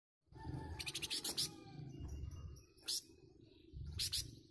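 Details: Flamboyan bird answering other birds with its dense, harsh song: rapid rasping bursts of notes around one second, then two more short loud harsh bursts near three and four seconds, over a steady low hum.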